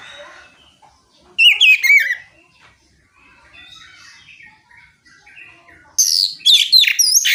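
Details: Oriental magpie-robin singing to provoke rival magpie-robins to respond; two loud bursts of twisting, sliding whistles and buzzy notes, with fainter distant birdsong chatter between them.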